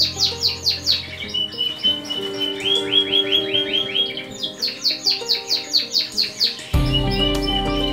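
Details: Adult male green-factor canary singing, from a 2016 series on young birds: rapid rolling trills of sharp descending notes, a steadier mid-pitched trill in the middle, then more fast sweeping trills, over sustained background music.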